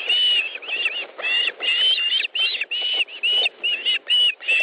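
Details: Osprey at its nest in Estonia on 1 August 2013 at 14:41, during a fish delivery: loud, whistled, slightly rising chirps in quick bursts, each with a bright tonal band, repeated about twice a second with short gaps.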